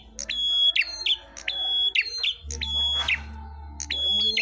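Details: Red-headed prenjak, the Ashy tailorbird, in a song battle: level piercing whistles broken by quick downward chips, phrases tumbling close together, low droning hum in the background.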